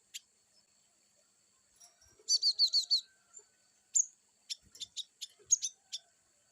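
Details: Cinereous tit wucit-style song: a single run of five clear, descending high whistles, followed by a scatter of short, sharp ticking chips.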